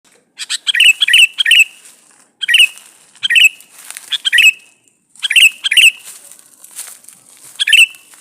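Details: Male sooty-headed bulbul calling a female, used as a lure to make other bulbuls answer; bursts of three or four quick bubbly notes, each ending in a sharp slurred whistle, repeated in close series with short pauses.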